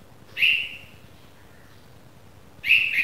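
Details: Newly fledged red-vented bulbul chick sounding two sharp buzzy chirps a little over two seconds apart, the second slightly longer with a doubled ending, background quiet.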